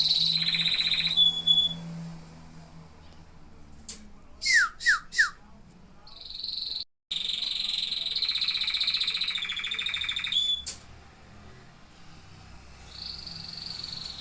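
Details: Singing canaries: a song of rapid buzzy rolls around a high pitch, a brief quiet gap broken by three quick downward-sweeping notes, then more long rolling trills that fade and return near the end.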